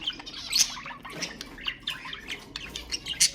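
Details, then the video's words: Budgerigars chattering to stimulate pet birds: short burst of harsh squeaks, chirps and scratchy warbled notes packed closely together. "اقوى تحفيز لطيور البادجي أقوى أصوات البادجي المحفزة"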